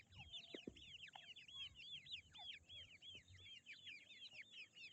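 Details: Grey francolin (teetar) chicks giving a dense chorus of high, thin peeps, each a quick rising-then-falling arch, overlapping continuously from several birds, with a few soft taps underneath.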